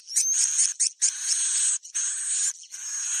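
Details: Edible-nest swiftlet breeding-season lure call: high, wheezy, trilling twitters in several sustained bursts with brief gaps, a thin whistled note riding on top.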